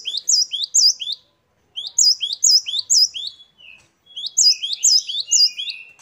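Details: Great tit known as gelatik batu, singing in lively variation: three phrases of quick, high, sweeping notes separated by short silences. Thin drawn-out whistles close the second and third phrases.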